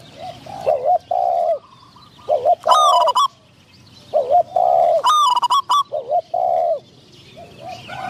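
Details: Spotted doves in a decoy-trapping session: a decoy bird calls to lure wild doves, including a wild bird with a medium-pitched voice. Low, rounded coo phrases repeat in bursts, overlapped by brighter, higher whistled notes with rich overtones.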